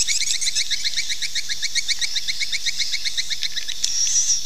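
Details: Swiftlet lure call played to draw swiftlets to nest: fast repeated high chitters, around four per second, in a long even series, ending with a thin whistled tone over steady hiss.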